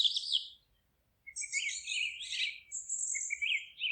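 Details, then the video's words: Forest birds in song: a brief chirp, a second of silence, then overlapping buzzy trills and a steady high whistled phrase, ending in repeated rising chirps. "Forest relaxing sounds of singing birds"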